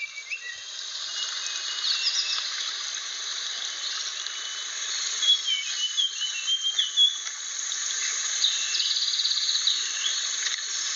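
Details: Blue flycatcher of Aceh, a rare protected species, sings a short run of sweet whistled notes in the middle, flanked by faint slurs and continuous background hiss.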